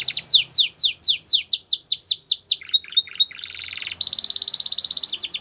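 A Belgian canary sings quick, high, down-slurred whistles, about eight a second, then breaks into a brief buzzy roll and a bright, rapid pulsed trill.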